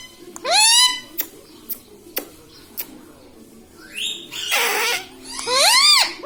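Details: Pet talking parrot indoors, kept as a ringneck, saying mummy papa: two high, harmonic, arching vocal syllables separated by soft clicks and taps, ending with a harsh noisy burst and another bright arched call.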